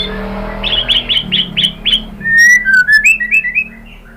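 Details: Murai batu, the white-rumped shama, giving a pancingan lure song to excite rival birds: six short bright notes repeated evenly, then a smooth low whistle sliding downward, followed by a chain of higher rising chirps.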